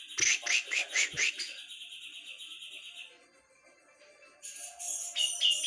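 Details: Brown-cheeked bulbul from Java in gacor song: a fast series of loud rasping chirps, about two per second, trailing into a sustained thin whistle, a quiet pause, then bright high notes returning.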